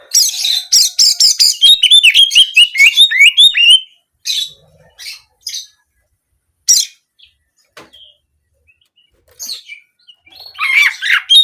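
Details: Oriental magpie-robin song with canary-style 'nembak' bursts, played to get kept birds singing for daily use and contests: a rapid string of high, varied chirps and whistled trills, then scattered short notes and a final buzzy phrase.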